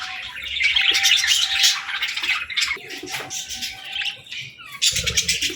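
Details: Baby budgies at play, chattering and chirping: overlapping quick twittering notes and buzzy squeaks in a constant flock chatter, a low hum throughout and a brief thump near the end.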